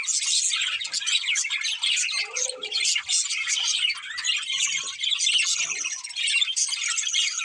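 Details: Pet budgies, a breeding pair, keep up continuous high chattering and warbling with quick scratchy notes, plus a short lower squawk in the middle and a few brief dips.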